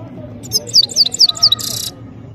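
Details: High, quick goldfinch phrase: several sharp downslurred notes in fast succession ending in a short harsh buzz, over faint low hum.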